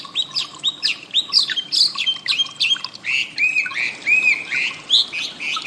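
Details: Master training audio of wambi song for cage birds: quick series of rising hooked whistles, repeated rapidly, followed by lower rounded whistled notes in steady succession.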